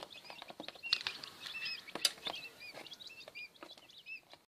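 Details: Incubator-hatched quail chicks from a first brood peeping in short, thin, high, slightly arched cheeps, several birds overlapping, with tapping sounds.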